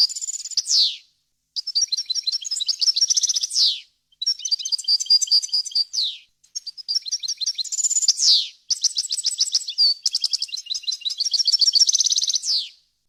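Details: Clean, error-free European goldfinch song used to tutor fledglings: rapid liquid twitters and trills in repeated phrases, each closing with a sharp downward buzzy slur, nearly continuous over the recording.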